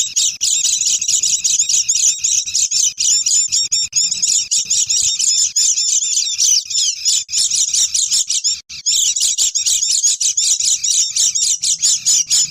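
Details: Lure recording of Oriental white-eyes calling noisily to draw in wild birds: continuous, high-pitched, busy twittering with fast rhythmic chips throughout and a faint low hum underneath.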